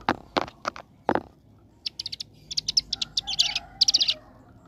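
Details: Ciblek gunung prinia, 'ngebren' style: several loud low clacks open, followed by short rapid bursts of high buzzy trilled notes that grow denser toward the end.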